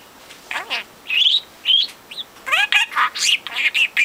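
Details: Hand-raised four-month-old male budgie, a constant talker learning words and mimicking overheard speech, pours out rapid, scratchy chatter mixed with clear whistled rising notes in quick succession.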